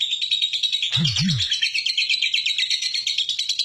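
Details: Long ngekek trill from a lovebird, recorded as a lure for other lovebirds. Fast, high, rattling chatter continues throughout, with a brief low double thump partway through.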